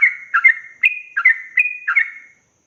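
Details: Short burst of the rapid 'ropel' tutor song of a yellow-vented bulbul for young birds: about six quick chirpy notes, alternating pitch, then silence.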